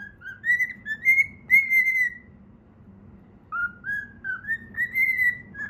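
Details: Singing while playing, a pet cockatiel whistles the Pythagora Switch theme in two bursts. Each burst is a run of short, bright notes that rise stepwise to a held tone, over a soft background murmur.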